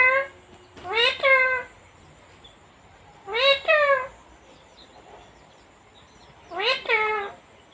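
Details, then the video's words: Pet talking parrot from India, described as female and able to say everything. Three separate speech-like utterances with bright harmonics, the first two slightly broken into two parts, arriving roughly every three seconds in a quiet room. "talking parrot/Best cute parrot //her voice is so cute"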